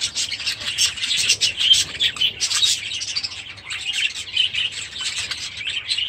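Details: Aviary budgerigars with young chicks keep up a continuous high, scratchy warbling chatter of many overlapping chirps and squeaks, a low hum running beneath.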